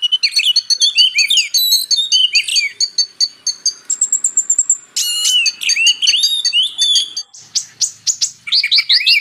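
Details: Purple-throated sunbird (kolibri ninja) in a magpie-robin tutoring mix: dense rapid high twitters, a sustained thin whistle, then a loud rattling burst and rising squeaky phrases, with no background noise.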